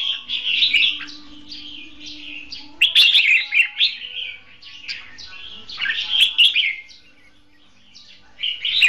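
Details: Competition-style song from a caged red-whiskered bulbul used as a trapping decoy: lively warbled bursts, a long low steady tone early on, then loud chattering phrases fading toward the end.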